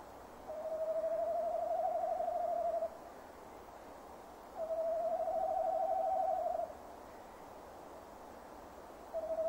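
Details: Nest-box camera at a tawny owl box, 15 December 2015, 17:10: the male repeatedly gives long wavering hoots, each about two seconds, separated by roughly two seconds of quiet, with a third starting at the end.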